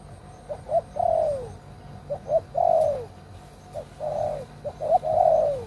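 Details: Spotted dove, an old decoy bird used to lure wild doves in Cambodia, gives a loud cooing phrase: short clipped notes and then longer coos that slide downward, repeated several times.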